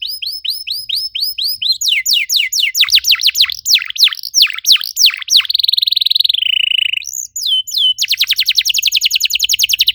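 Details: Canary lure song to get other canaries singing: repeated falling whistles, a fast cascade of sweeping notes, a long buzzy sliding trill, then a rapid rattling trill.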